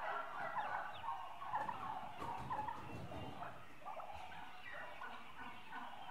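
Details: A flock of eight-month-old turkeys, mostly hens, keeps up a steady chatter of yelps, purrs and clucks, many birds overlapping, with low shuffling and rustling underneath.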